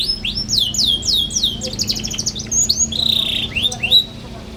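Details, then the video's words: Young canary song used for training other young canaries: series of descending whistled slurs, a dense rattling trill, then a sustained buzzy note and a few rising chirps before falling quiet. "KENARI PAUD NGERIWIK GACOR CUIT CUIT BIKIN EMOSI"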